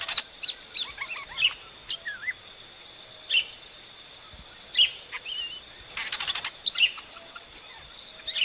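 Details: Inhapim, or epaulet oriole, giving separated whistled notes and short slurred phrases, then a rapid chattering sequence with looping high whistles, against a continuous thin high-pitched hum.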